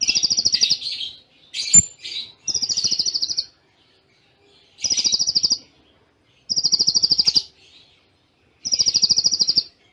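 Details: Konin sunbird training song, Cililin style with close pauses: fast, even, buzzy high trills about a second long, repeated every two seconds or so with brief silences between.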